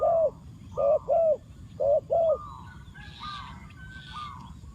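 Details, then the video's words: Spotted dove used as a decoy, cooing to lure wild doves: a loud series of five low, rounded coo notes in two-note pairs, followed by fainter higher bird calls and steady background hiss. "chim cu mồi gáy gọi bổi"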